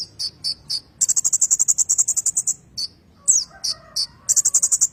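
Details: Rolling ngerol song of a kolibri ninja, used as tutor song for magpie-robins: three high chips, a rapid metallic trill lasting about a second and a half, a few sweeping notes and a closing burst of trill.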